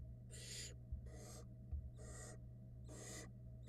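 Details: Barn owl nestlings on a Florida nest camera, fed by their mother in early 2022, hatched in February: harsh, breathy hissing screeches about half a second long, four in a row roughly once a second, over a steady low hum.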